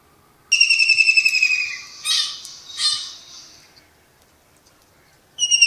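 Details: Kingfisher recorded in Pakistan at early morning while perched: a rapid descending whistled trill, then two short harsh rasping bursts, and the start of a further trill after a pause.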